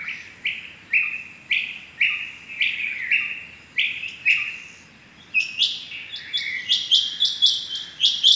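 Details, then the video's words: Rain quail on the morning of 6 July 2021: a steady series of lower downslurred notes about twice a second, then a burst of higher, sharper, rapid paired notes. "Amazing rain quail sounds 6.7.21 | today rain quail calling | آج صبح کی چنگی بٹیروں کی زبردست آوازیں"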